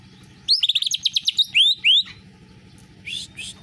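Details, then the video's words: Greater green leafbird singing canary-like material: a quick burst of high clipped notes, two rising whistled slurs, a pause, then a short buzzy high phrase. "Cucak ijo rasa kenari"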